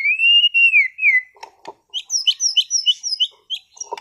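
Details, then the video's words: A caged competition White-rumped shama from Sragen gives long pure whistles that rise then fall, followed by a rapid series of high, bright repeated notes with a few clicks between. "MURAI BATU TEMBAKAN ISTIMEWAH gacor bongkar materi kelas lomba"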